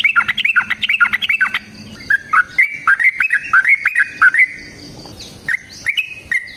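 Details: Sooty-headed bulbul in vigorous fighting song, used as a lure for other bulbuls: quick rattling phrases open, followed by evenly spaced whistled notes sliding up and down, a quiet stretch, then two final whistles.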